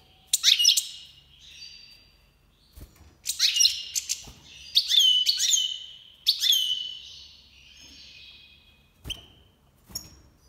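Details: Iranian goldfinch (major) singing through breeding season 2022: a series of loud, rapid twittering bursts with buzzy trills, quieter chatter between, and a few sharp clicks.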